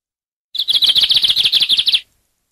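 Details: Lined seedeater song: a single fast burst of about twenty rapid, evenly spaced buzzy chirps lasting around one and a half seconds, clean with no background sound.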